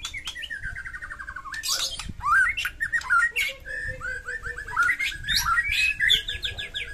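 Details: White-rumped shama delivering a varied fighting song as a lure for shamas gone quiet; a rapid trill, sharp high notes, then repeated whistled phrases and chattering runs.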